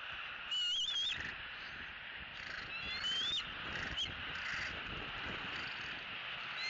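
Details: Bald eagle at a Southwest Florida nest on the evening of May 3, 2018, young eagle E10's last evening at home before leaving, recorded by nest camera: short, thin whistled calls, slightly wavering and rising, in two bursts against constant hissing background.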